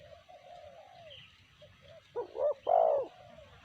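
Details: Spotted dove (tekukur) in 'sanji' song: soft, faint cooing notes first, then a loud close phrase of two rounded coos and a long swelling final coo, over faint low background rumble.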